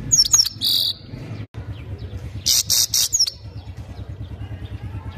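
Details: European goldfinch singing: loud, buzzy chirps with quick high sweeping twitters in two bursts about two seconds apart, over a low steady hum.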